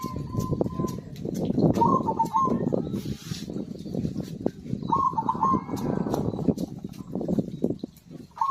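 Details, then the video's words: Zebra dove song used to stimulate birds that have stopped singing: a few short trilled coo phrases, partly masked by loud broadband rustling and rumbling background noise. "PERKUTUT GACOR AMPUH UNTUK PANCINGAN SUARA BURUNG MACET BUNYI"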